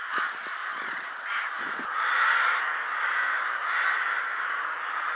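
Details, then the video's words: Countless rooks at a cemetery in Ottakring, Vienna, gathering in winter just before twilight; loud, continuous massed cawing, harsh and overlapping, with a few clipped nearby calls early on. "saatkrähen-spektakel / friedhof ottakring - flocks of rooks at cemetery ottakring"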